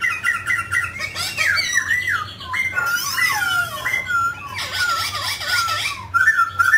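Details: Mutant grey laughingthrush singing while dancing: a busy run of swooping, slurred whistles mixed with harsher squeaky notes, with V-shaped dipping notes near the end.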